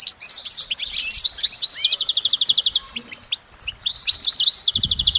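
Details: Goldfinch singing in nature, a long, unbroken song: rapid high twittering, sliding whistles and fast trilled runs of repeated notes, then a short buzzy burst and a light low thump near the end.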